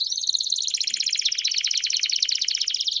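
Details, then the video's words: Campainha canary song used to train young canaries: one fast, evenly pulsed bell-like trill sustained throughout, slightly dipping in pitch early on. "Canto Campainha Com Piados Top Para Treinar o Canto de Canarios Filhotes"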